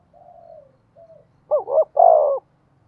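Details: Spotted dove calling as a decoy to make other doves coo: soft, low drawn-out notes, then a loud phrase of two short wavering coos and a prolonged final coo.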